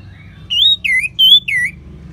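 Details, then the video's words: Four clear, slurred whistles from an orange-headed thrush (anis merah), alternately rising and falling, each about a quarter second long. The recording serves as a training call to spur other birds to sing. "ANIS MERAH SAUARANYA MANTAP 99% SEBAGAI MASTERAN DAN PANCINGAN BURUNG NGEPLONG"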